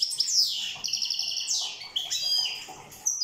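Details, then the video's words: European goldfinch from Corsica singing: a quick, bright twittering run of high liquid notes, sweeping slurs and short buzzy trills, delivered without pause over about three seconds. "Chant chardonneret corse rosse"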